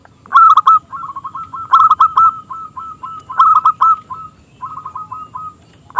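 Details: Actively singing local zebra dove, high crystal-toned voice, recorded as a lure to prompt rival doves to sing; bursts of loud rolled coos alternate with runs of quick, even staccato notes in near-continuous song.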